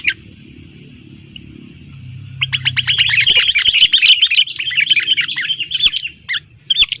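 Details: Sooty-headed bulbul calling rivals in the wild near a simple trap, with many birds gathering. A quiet start breaks at mid-clip into a dense, fast burst of sharp, high chirps, later thinning into scattered notes.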